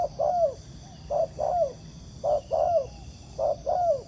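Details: A wild spotted dove coos back at a ground decoy during trapping. Four phrases pair a short low note with a longer, falling coo, spaced just over a second apart, with soft low background noise.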